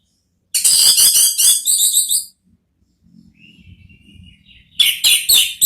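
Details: Orange-headed thrush singing in the ngeplong style, used as a therapy song to draw another thrush into replying: a dense burst of rapid high notes, a thin sustained whistle and soft low murmuring, then a fresh burst.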